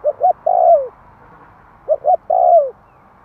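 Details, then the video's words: Spotted dove cooing for stirring up wild doves: two phrases, each made of two short hollow notes and then a longer, smooth coo that drops in pitch at the end. Light background hiss. "Tiếng Chim cu gáy kích bổi nhanh nổi hiệu quả"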